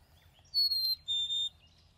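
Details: Northern Cardinal song: two clear, high whistled notes, each about a third of a second, the first slightly higher than the steadier second, over a faint low hum.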